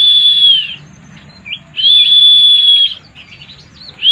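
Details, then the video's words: White-eye, a caged songbird, giving long level whistled notes about a second long, separated by quieter soft chirps, against a low background hum. "burung pleci mabuk"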